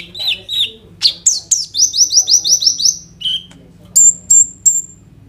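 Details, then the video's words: Sunbird called kolibri ninja delivering its rolling, phrase-filled song on a phone recording: paired chirps, then a fast string of seven similar downslurred whistles, ending with three very high piercing notes. "KOLIBRI NINJA GACOR FULL ISIAN ROLL TEMBAK, COCOK UNTUK PANCINGAN KONIN BAHAN BIAR BUNYI"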